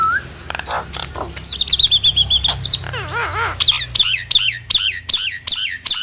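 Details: Lure of a Nias hill myna meant to get quiet mynas to respond: a short low whistle, loud harsh squawks, then clear wavering whistles and bubbling looping notes, ending in sharp repeated calls.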